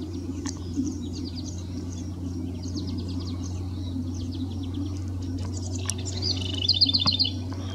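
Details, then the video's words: House wren near Vernon, Commonage Road, in the Experimental Forest, gives thin, high chirps, then a quick bubbly run of about six notes near the end, over a steady low rumble. "House Wren"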